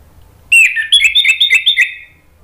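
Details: Orange-headed thrush song aimed at provoking rivals: a continuous warbling run of rapid whistled notes, slightly wavering in pitch, lasting about one and a half seconds.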